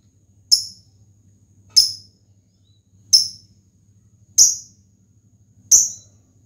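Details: Lovebird of the fighter type calling to challenge an opponent, meant to provoke other lovebirds into song: five shrill, clipped chirps spaced about every 1.3 seconds, with a soft low hum behind.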